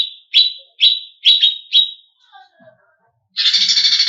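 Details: Greater green leafbird song aimed at provoking competition birds: five strong, slurred falling chips, a few soft lower notes, then a sudden dense, buzzy trill.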